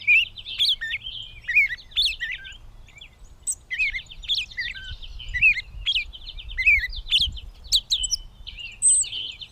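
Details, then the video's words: Gray catbird in Bowdoinham, Maine, 16 May 2020, singing a continuous medley of squeaky, warbling and chattering notes with slurred downward whistles, phrases repeating roughly every second, against quiet low noise. "The many sounds of the Catbird"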